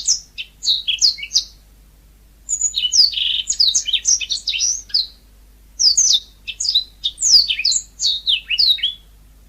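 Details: Yellow-fronted canary, known locally as mozambik, singing in vigorous natural style: three bursts of rapid, high, sweet twittering and chirped notes, each phrase a few seconds long, separated by short silent pauses, over a faint low hum.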